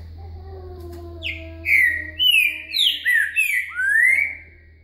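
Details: Green-winged Saltator singing a 'boca mole com virada' style song: a run of five loud, rich whistled phrases, slurred up and down and ending on a rising note, over a steady low hum.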